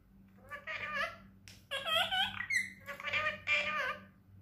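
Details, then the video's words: Tame pet parrot, one of three talkative parrots kept indoors, mimicking human speech: a run of squeaky, harmonic, voice-like syllables in short phrases with brief pauses, in a small room with a faint background hum. "Talking Parrot || My Talking Parrots (CUTE)"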